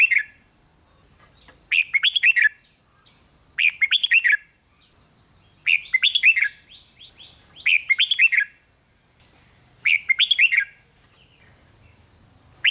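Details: Red-whiskered bulbul song, played to excite other bulbuls: a steady run of six chirpy, bubbling phrases about every two seconds, one overlapped by a buzzy rising sweep, quiet low hum throughout.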